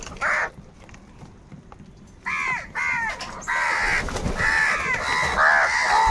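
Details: Crows fighting for food call outdoors. One brief caw is followed after a pause by a run of loud, grating caws that grow denser and more overlapping toward the end, as several birds call at once.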